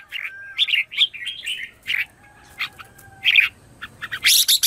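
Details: Red-whiskered bulbul morning song as a lure for wild birds: a busy stream of warbled, chirping notes in uneven bursts, ending in a loud harsh rasping burst.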